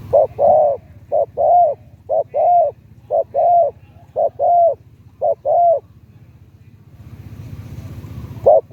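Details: Spotted dove, a decoy bird in Thailand used to lure wild doves, its voice rated medium to deep. Low mellow coos come in paired phrases, a short note and then a longer one, roughly once a second, against a faint low hum.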